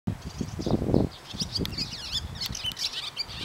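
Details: A pair of barn swallows sings while perched on a power line and stays put as the camera points at them. High, quick twittering and chirps run throughout, with low thumping noise in the first second.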